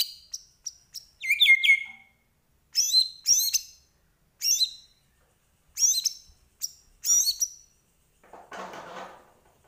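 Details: White-rumped shama, Medan type, singing with full imitation content: spaced bursts of high ringing whistled notes roughly every second, a brief rich phrase early, and a faint rustle near the end.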